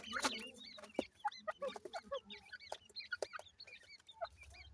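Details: Many ring-necked pheasant chicks cheeping in bright, high, hooked notes, steady and overlapping, with sharp tapping clicks and a brief loud rustle at the start.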